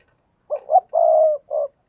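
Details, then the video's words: Spotted dove cooing, used as a decoy call to lure wild doves: two short throaty notes, a long steady drawn-out coo, then one short final coo, low and mellow, with silence around it. "tiếng cu gáy thúc bổi"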